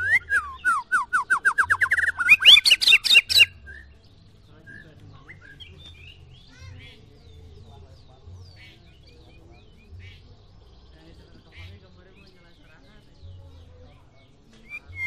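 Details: White-rumped shama song, from a comparison of a short-tailed Medan bird and a 'balak 6' bird. A fast train of loud repeated whistled notes ends in harsh rasping bursts over nearly four seconds, followed by quiet with faint scattered chirps and low thumps.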